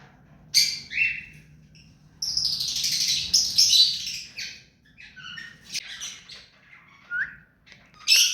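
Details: Hand-tame ring-necked parakeet kept as a pet, giving scattered harsh chattering calls: short sharp notes, then a longer raspy screech near the middle, followed by softer scratchy sounds and a final loud squawk.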